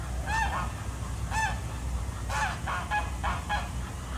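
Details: Ducks swimming on a pond at Jardin aux Canards in Monaco in the morning give nasal, arched honking calls with rich overtones, singly and in short bursts, over a steady low rumble of water.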